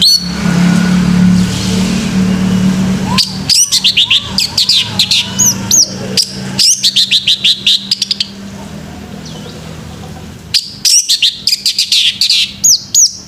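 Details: Morning song of a male orange-headed thrush: repeated bursts of rapid high chirps and looping whistled phrases, fast and varied, with a steady low hum beneath at the start.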